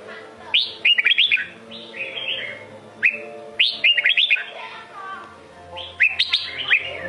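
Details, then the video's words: Sông Kôn red-whiskered bulbul in song: three phrases roughly every two to three seconds, each a quick burst of sweet, liquid whistled notes swooping up and down, with softer warbling between phrases and a faint steady hum behind. "Chào mào sông kôn hót cực hay cực đẹp"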